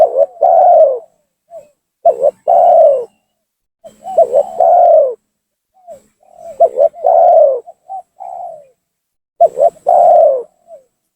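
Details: Spotted dove giving an energetic lure call for bird trapping, meant to force rival doves down and anger them: repeated phrases of two quick clipped coos then a drawn-out, slightly descending coo, with quieter single notes between.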